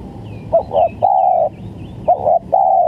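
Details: Lure recording of a spotted dove for trapping: two phrases, each a quick double note followed by a long steady coo, with faint thin chirps of other birds higher up.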